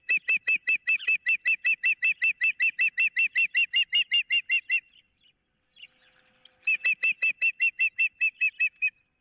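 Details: Ospreys on a nest cam, 15 April 2023, one holding a fish and a picnic pole while its mate wants the fish, with an intruder nearby: rapid, evenly spaced piercing chirps in a long run, a brief pause, then the series resumes.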